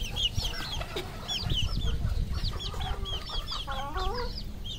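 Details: Many red junglefowl kept on a Cambodian farm, dense chorus of high downward-arching peeps repeated rapidly, overlaid with lower stuttering clucks and trills against a rumbling background.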